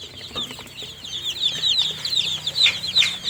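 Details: Tiny newly hatched chicks cheeping rapidly, high piercing notes that rise then drop, growing louder toward the end, over a low humming background.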